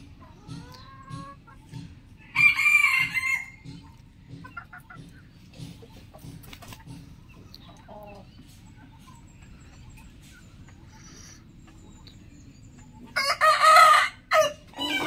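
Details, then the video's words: Rooster crowing in the morning, with two separate loud, harsh, harmonic bursts about ten seconds apart and quiet background between them. "Rooster Crowing Compilation Plus - Rooster crowing sounds"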